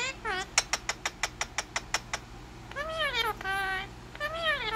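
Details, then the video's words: Pet Indian ringneck parakeet talking: a run of about ten sharp clicks or taps, then several nasal, voice-like syllables that rise and fall, each lasting under half a second, in a quiet room. "Talking Parrot"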